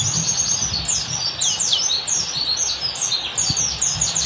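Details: Oriental white-eye (pleci) singing in the forest-style ngalas manner, used as a master for caged birds: dense, high, sweeping twitters and chirps pouring out without pause, with a faint low hum beneath.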